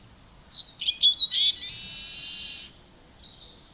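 A Eurasian siskin sings a quick high twitter that runs into a long, drawn-out buzzy wheeze.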